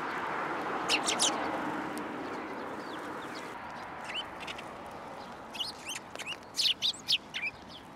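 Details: At a Tenmangu shrine on 2 January 2023, sparrows arriving at a post for food give scattered, brief chirps: a pair near the start, sparse notes in the middle, then a livelier cluster toward the end, against constant low rumble.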